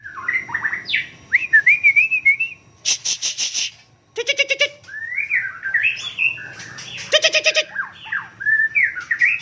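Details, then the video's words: White-rumped shama (Murai Aceh) from Cot Goh, Bireuen, Aceh province, singing a varied run of clear rising and falling whistled phrases, broken by loud harsh rattling bursts near three, four and seven seconds. "Murai Aceh"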